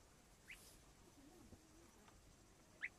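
Two thin, high peeps from a partridge chick, about two seconds apart, over a quiet background hiss.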